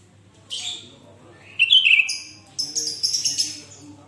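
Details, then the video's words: Sooty-headed bulbul (kutilang) singing vigorously, with a recording meant as a tutor for other bulbuls. A short bright chirp comes first, then a loud rising two-part whistled phrase, followed by a burst of high chattering notes. "Suara Burung kutilang Gacor//Tempel Suara Kutilang ini Dengan Burung Kutilang kalian"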